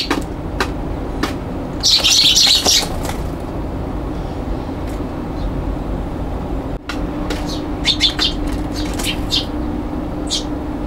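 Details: Young Eurasian tree sparrows fighting on a balcony on 21 June 2022 give sharp, scattered chirps, with a harsh burst of squabbling early on and quicker chirps near the end, over a steady low traffic rumble.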